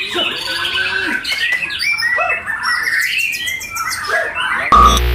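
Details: White-rumped shama performing at a singing contest, said to be short of top form with breeding urge above fighting spirit. Fast, varied whistled phrases and rattling chatter are layered over background birds and voices, and the recording ends in an abrupt loud noisy burst.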